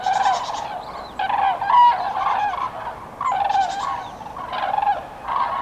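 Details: Common cranes on spring migration, Nouvelle-Aquitaine, central France, 8 February 2017, call loudly and near: rich, rolling trumpet notes in grouped bursts with short pauses between, several birds answering one another.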